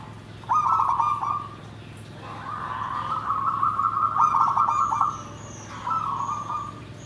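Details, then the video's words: Zebra dove song in the deep, big, dry style called nggandem gedhe garing: three trilled, rolling coo phrases, the middle one long and sustained, with a steady low hum behind. "SUARA PERKUTUT"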